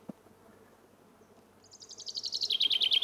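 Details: Common chaffinch song: after a quiet start, a bright trill of rapid repeated notes comes in high and steps slowly downward, growing louder. The clip cuts off before the phrase ends.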